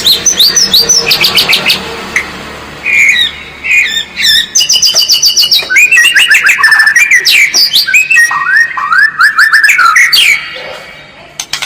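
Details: White-rumped shama masteran with varied isian phrases: dense overlapping chirps and trills, scattered whistled slurs and sharp high notes, delivered rapidly and with little pause throughout.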